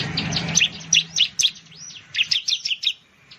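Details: Bar-winged prinia, called ciblek in Indonesia, giving a quick jumble of high chirps and slurred whistles, somewhat softer, over low background rumble at the start.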